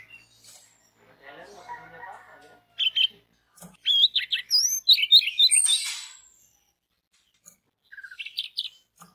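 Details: Lure song of an orange-headed thrush, meant to make others of its kind sing: soft scratchy sounds at first, then a loud burst of rich warbled and squeaky notes, a pause, and a final short twittering phrase.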